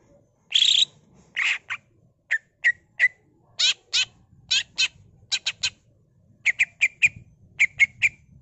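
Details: Greater green leafbird's gacor 'full isian' ngentrok song, recorded as a pancingan: a fast string of sharp, scratchy chip notes and harsh rasps, some grouped in quick triplets, running steadily for several seconds.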